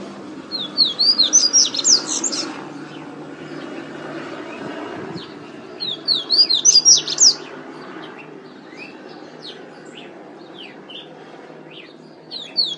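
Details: Double-collared seedeater of the pateta song style from Natal, RN: two rapid bursts of high, slurred chirps several seconds apart, then scattered single notes, over steady low background noise.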